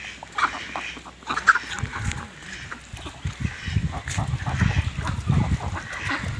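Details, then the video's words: A duck running in a pond gives a few harsh, nasal quacks over heavy splashing and churning water that runs through the whole stretch. "Duck Sound"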